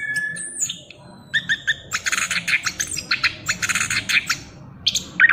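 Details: A young chestnut-capped thrush, just moulting out of its speckled juvenile plumage, sings continuously and boldly: clear whistled notes, then rapid bursts of harsh, scratchy phrases, ending on bright high whistles.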